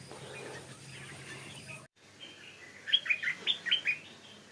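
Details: A young wild stripe-throated bulbul on a hillside durian orchard in Thailand, singing its local dialect song, gives one quick, bubbly phrase of about six bright notes, each a fraction of a second, after low background noise.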